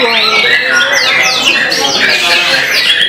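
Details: Competition-singing white-rumped shama, placed third runner-up, delivers bright high whistles that slide sharply downward in quick succession, set against many other birds singing at once and people talking in the background.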